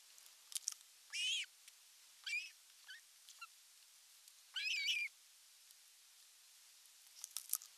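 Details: Western Finland nest camera, Satakunta, 19 July 2022, the male Osprey bringing in a large fish: loud, high, ringing squeals separated by a few seconds, with softer chips between and a scatter of ticks at the close.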